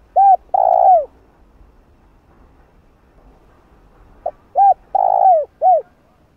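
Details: Calling spotted dove, recorded for stimulating a decoy bird in training: the end of one coo phrase, a pause of about three seconds, then a full phrase of short note, two arched coos, and a drawn-out rolling coo.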